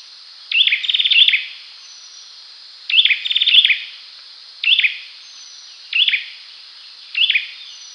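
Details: Clear call and song of an olive-backed sunbird: five bursts of sharp, high, trilled chips, some longer rattles and some brief chirps, repeated every one to two seconds over a light background hiss.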